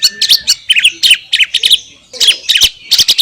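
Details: Greater green leafbird in Indonesia, a compilation of clear song recorded in the wild: bursts of buzzy, chattering notes with short whistled slurs, delivered in quick clusters separated by brief pauses.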